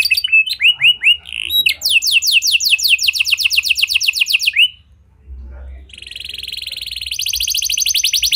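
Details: Singing domestic canary in gacor style with unique cengkok, meant to provoke quiet canaries into responding: fast high chirps run into a long rolling trill of downward-sweeping notes, a short gap, then a steady, bright, rapid trill.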